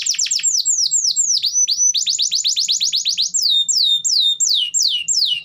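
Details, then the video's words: Canary delivering varied song to prompt reluctant canaries: sweeping falling notes, a fast run of downslurred chips, then slower, spaced descending whistles. "Pancingan Suara Burung Kenari Gacor || Cocok Untuk Terapi Kenari Malas Bunyi"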